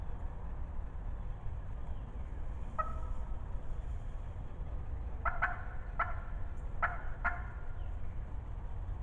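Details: Wild turkey hen in spring 2020, loud and talkative, calling close by: short sharp yelping notes, one near three seconds then a run of four spaced about half a second apart near the end, over steady low rumbling background noise.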